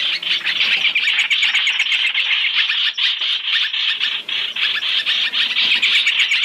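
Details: Black-throated laughingthrush lure, a three-in-one mix meant for trapping: rough, rattling chatter pouring out almost nonstop, with pulses repeated about twice a second beneath the steady harsh noise.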